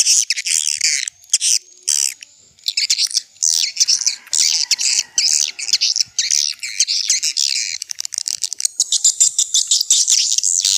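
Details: Old-style swiftlet lure recording used to draw swiftlets in: long runs of shrill, rapid twittering and squeaky chirps from several birds overlapping, broken by brief pauses.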